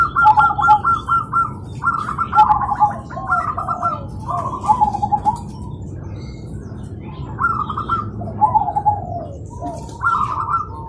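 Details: Several zebra doves answer each other in morning song, repeating rapid bubbling cooing trills every second or two, overlapping phrases at slightly different pitches, with low background hum.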